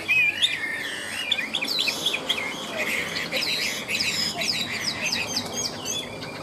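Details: Chinese hwamei, caged, sings in the high 'ngũ trường' style: a continuous stream of varied whistled syllables, upslurs and downslurs mixed with chattering notes, steady and lively throughout.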